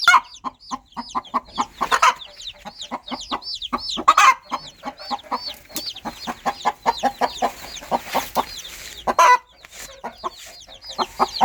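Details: Mother hen in the countryside calling her chicks with a long run of rapid, rhythmic low clucks, a few louder bursts, and faint high chick peeps in the background.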